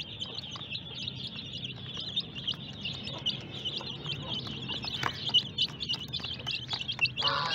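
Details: Colourful hen chicks in a group keep up a continuous chorus of high, shrill peeps, many birds calling at once in quick overlapping cheeps over a low, constant hum.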